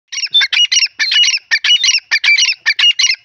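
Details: Grey francolin, locally called teetar, calling loudly: fast, harsh, squeaky notes in clustered phrases, repeated continuously with short gaps and a strident, ringing quality.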